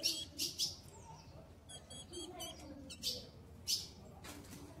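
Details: Female ultramarine grosbeak soliciting mating, ready to mate: short sharp high chips in quick groups of three, then two more spaced chips later, with faint trilled notes from other birds in between.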